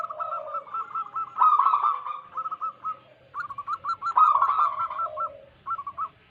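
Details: ['Zebra doves of local wild stock used as a lure to attract wild doves. Several birds overlap in rapid series of short bubbling coos, some ending in rolled trills, in bursts separated by brief pauses.']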